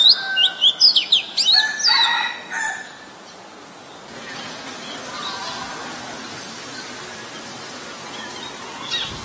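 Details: Oriental magpie-robin song from Ubon Ratchathani, Thailand, 23 December 2019, recorded with a Nikon P1000: under three seconds of quick, high whistled slurs and sweeps, then fading into steady background hiss.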